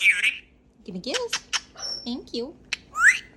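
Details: Pet Cape Parrot outside in an aviary, talking: a harsh opening squawk, then a quick run of short, speech-like nasal syllables, a thin whistle, and a final rising squawk.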